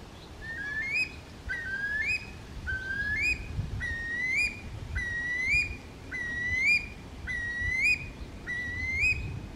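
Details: A Eurasian curlew (Numenius arquata), filmed walking, in Kuopio, Finland on 13 June 2023, gives rising, fluty whistled calls about one a second, each sliding upward at the end, over a low rumble of wind.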